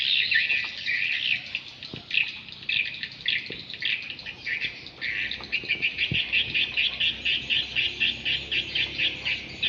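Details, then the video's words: Swiftlet lure sound for swiftlet houses: dense high chirping twitters, speeding into a steady pulsed series of about two chirps per second in the second half, with faint low clicks beneath. "suara walet original"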